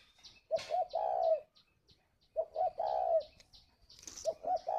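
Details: Spotted dove kept at a bird farm in Ba Vì, Hanoi, Vietnam, performing the 'gáy gọi' calling coo. Soft repeated phrases, two brief coos and a drawn-out purring note, with small high chirps from other birds in between.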